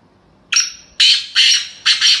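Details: Black francolin, described as a female call, gives four harsh, grating, high-pitched bursts in about two seconds, the last pair run close together, over a quiet background.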